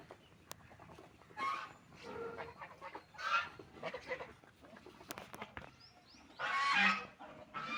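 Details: Ducks feeding and drinking water, giving scattered loud nasal honks and quacks, with a louder burst of harsh calling near the end and sharp knocks between calls.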